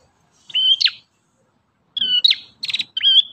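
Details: High, level whistles from an ashy tailorbird, each ending in a sharp downward flick, followed by a buzzy trill and a further clear whistle.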